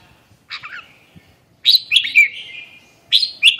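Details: Red-whiskered bulbul giving three bright warbled phrases, one short, then a longer rolling phrase, then another brief one, with near silence between them.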